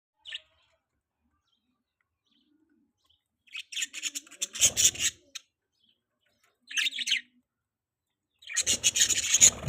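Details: Baby budgerigar, a pet bird, chirping in short bursts of harsh, high scratchy chirps, with a rustling low thump partway through and long silent gaps between bursts.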